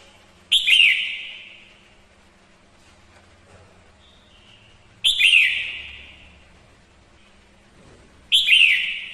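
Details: Singing female red-whiskered bulbul, a lure bird meant to rouse males; three loud whistled bursts, each sharp-onset and slowly dying away, spaced roughly four seconds apart, with a soft note between.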